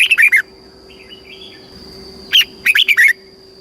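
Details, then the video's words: Caged red-whiskered bulbul, Thailand, southern master-style song played to make birds lively and teach youngsters. Two clipped phrases of four or five quick, bright whistled notes with soft chatter between, over a faint steady whine. "เสียงนกกรงหัวจุก สำหรับต่อ หรือ เปิดให้นกคึก"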